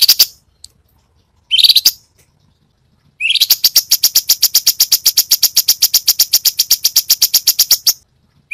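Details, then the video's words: Cucak cungkok singing a varied song used as a training model for captive songbirds: two short high bursts, then a long fast trill of sharp clicking notes, about four per second, lasting nearly five seconds. "Cucak Cungkok burung masteran Full variasi Tembakan"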